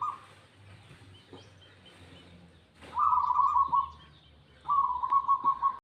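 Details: Local zebra dove delivering its song: three runs of fast, bubbling staccato cooing, the longer phrases about a second each, over a low steady hum with occasional faint ticks.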